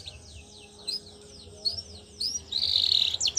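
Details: Canary singing for training young canaries: faint sweeping whistled notes over a low background hum, ending in a loud dense buzzy trill.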